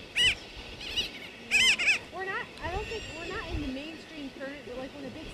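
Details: A grey-backed tern (Onychoprion lunatus) on Johnston Atoll, 16 June 2001, gives a few loud, harsh, nasal calls in short bursts, with softer chattering and wavering notes from other seabirds behind.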